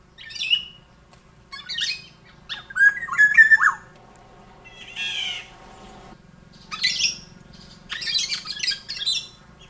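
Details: In breeding season a male black-naped oriole sings a courtship serenade to call a female, giving about six bursts of harsh, nasal squawks mixed with brief fluty notes, spaced a second or two apart, with no other sounds.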